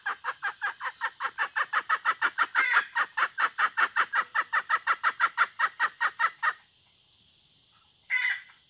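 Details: A hen produces a long, rapid train of about thirty short rasping clucks, evenly paced, then falls silent before one final louder, harsher note.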